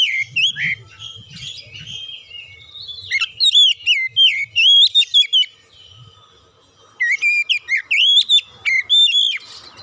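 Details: Oriental magpie-robin song used as a lure to make birds sing: loud bursts of rich, swooping whistled phrases, rising and falling, repeated in quick runs with a short pause midway, faint low hum underneath.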